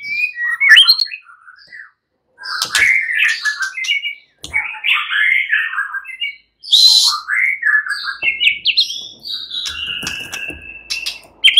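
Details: Nearly all fighter white-rumped shamas answering and getting emotional. Varied bursts of warbled, slurred and harsh phrases come in separate bouts with short silences between, ending in a high, level whistle.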